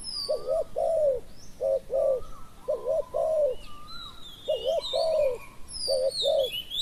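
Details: Decoy spotted dove in Thailand luring wild doves, giving deep hollow coos in doubled and drawn-out notes, repeated phrase after phrase, accompanied by thin high whistles and chirping from other birds.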